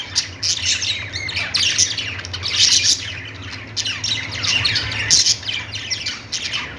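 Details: Parakeet chirping and warbling: many overlapping high notes, quick rising and falling chirps, and louder peaks near three and five seconds, over a faint low hum.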